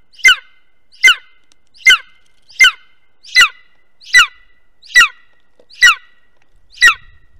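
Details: Golden eagle at a webcam-monitored nest in Estonia, 2021: loud harsh squealing call notes repeated steadily, roughly every 0.8 seconds, nine in a row, against near silence.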